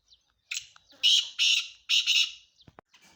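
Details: Male black francolin call: a short scratchy lead note, then a run of loud, harsh, rasping notes in two grating pairs, followed by faint clicks.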